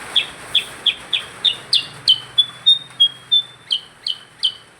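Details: Percang bird singing vigorously: rapid, high, sharp chirps about three per second, broken midway by brief level whistled notes, then resuming, over a faint low hum.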